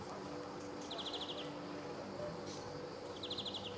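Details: Summer recording, 26 July 2014, Sabunike, Croatia: a male greenfinch utters two rattling trills of about seven fast clipped notes each, roughly two seconds apart, with low background hum.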